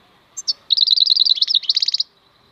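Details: European goldfinch (maknine), khalwi song: two thin introductory chirps, then a fast, continuous run of bright liquid twittering that ends in a series of evenly spaced ringing notes.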